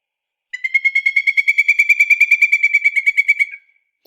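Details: Pileated Woodpecker, a shy bird more often heard than seen, excavating a tree trunk, giving a loud, rapid series of ringing, wild-sounding, monkey-like notes lasting about three seconds.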